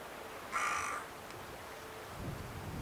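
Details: A carrion crow calling at Scheveningen, Netherlands, on 31 January 2021 gives one harsh, hoarse caw lasting about half a second, followed by quiet background with a low rumble.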